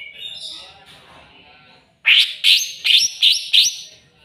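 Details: After a soft warbling start, a greater green leafbird provoked by a rival gives five loud, ringing notes. Each note ends in a rising upslur, repeated about every 0.4 seconds.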